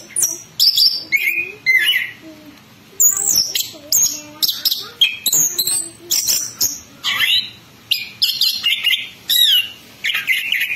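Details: Orange-headed thrush (anis kembang) pouring out a ngerol ngeplong song: a long sequence of loud, high, varied whistles, chirps and slurred notes. Bursts repeat about every second with short quiet gaps.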